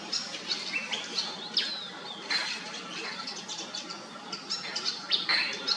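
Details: Irregular high chirps and thin sliding whistles of a pied fantail, scattered notes and short clusters over a continuous faint hum.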